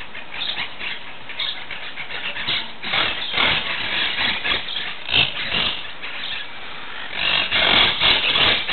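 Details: Monk parakeet (Myiopsitta monachus), calls.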